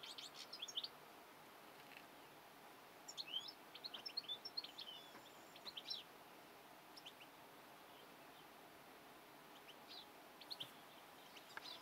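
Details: European goldfinch giving scattered phrases of sharp, high tinkling twitters, grouped in short flurries separated by longer quiet spells, with steady outdoor hiss throughout.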